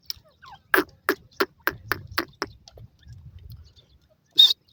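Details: Laraka teetar francolin, a male excited by a female, giving a harsh series of about eight loud rasping notes spaced evenly, fading toward the end, then one final sharp burst after a short pause.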